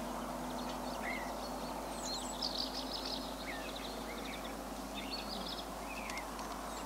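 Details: Common house martins, a flock resting for an hour on a 20,000-volt power line during migration stopover in Limousin, central France, on 24 September 2015; scattered short chirping and twittering notes from several birds over steady background noise.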